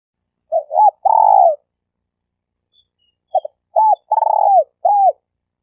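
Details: Spotted dove (tekukur) kept as a denak decoy for trapping in Malaysia: two cooing phrases, each a quick double note, arched coos and a long throbbing descending coo, with a faint high whine in the background.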